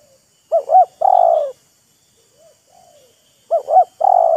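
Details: Spotted dove exchange between a decoy and a wild bird, each showing off its voice: a wavering double coo followed by a long steady coo, twice, with faint distant answering coos in between.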